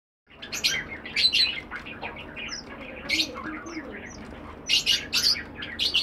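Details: Strawberry finches twittering together: high, thin chirps and squeaky notes in scattered bursts, with a few brief pure whistles and soft background rustling.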